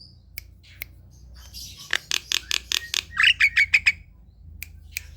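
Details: Javan myna (jalak kebo) kept at home, singing in the morning: sparse clicks, then a rapid train of harsh noisy notes that turns into shorter, brighter squawks, then more scattered clicks.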